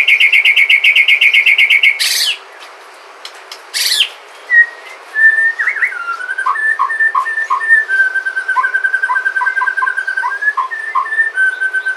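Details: Sumatran white-rumped shama, a lure song to set other shamas singing: a loud buzzy rapid rattle at the start, then softer whistled notes and a long stream of quick, quieter chirps.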